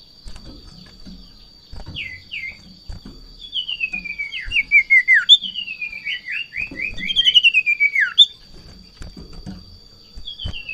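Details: Golden-bellied gerygone at the height of breeding excitement on seeing a rival or female: bursts of whistled notes, then long descending trilled runs repeated in quick succession. A thin steady tone and occasional bumps are heard.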